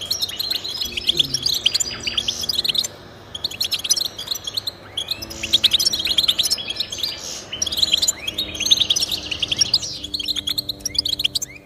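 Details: European goldfinch song offered to stimulate pet goldfinches into singing: long sequences of rapid high twittering and chirps, broken by a brief quieter gap near three seconds, then resuming in busy, overlapping bursts.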